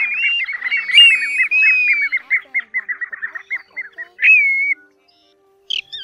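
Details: Plovers of various kinds, used as a lure for night netting, August 2024, give a fast string of short repeated notes under a wavering whistle, then a brief rising whistle and silence.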